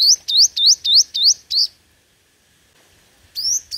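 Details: Five-coloured sunbird in competitive song for luring: six quick, bright, upward-sweeping notes in a rapid run, a short silence, then two more high rising notes.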